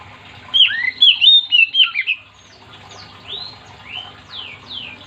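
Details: An Oriental magpie-robin sings energetically to set other magpie-robins singing. A quick run of bright whistled notes with dipping slurs is followed by softer rising and falling whistles.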